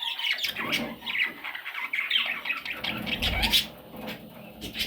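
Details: Parrot chicks calling in a small room, a run of harsh, raspy squawks and chirps that rise and fall between brief pauses, with some voices and handling noise in the background.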